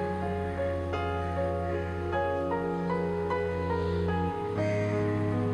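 Soft, slow instrumental music with sustained tones and gentle melodic notes over a steady low drone; no animal sound heard.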